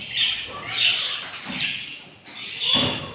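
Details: Budgerigar chicks on day four after hatching, three out of eight eggs, call hungrily with scratchy, slightly tonal squawks repeated about once a second, each swelling and fading, with soft low bumps beneath.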